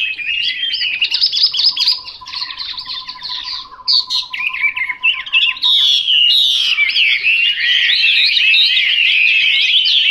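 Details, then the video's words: Chinese hwamei singing a rich, varied run of high warbled and slurred phrases, growing louder and denser after six seconds, with a steady, level low whistle-like tone running underneath from about one to six seconds. "Họa mi mộc"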